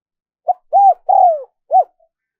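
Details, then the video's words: Spotted dove coo for luring wild birds: one clean phrase of a short opening note, a smooth arched coo, a longer sliding downward coo and a final brief hoot, with silence around it. "Tiếng chim cu gáy mp3 dùng kích bổi hiệu quả nhất"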